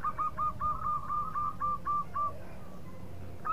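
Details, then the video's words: Local zebra dove (perkutut) singing to draw quick answers from rival birds: a steady string of about a dozen arched coos, four per second, fading out, over a hissy, noisy background. "PERKUTUT LOKAL GACOR BIANGANYA PANCINGAN LAWAN CEPAT NYAUT"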